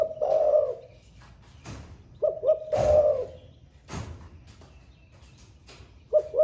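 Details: A caged spotted dove in thổ pha voice, just come into song and cooing all day, repeats two brief notes and a long rough coo twice, with a third phrase starting, broken by sharp clicks and knocks.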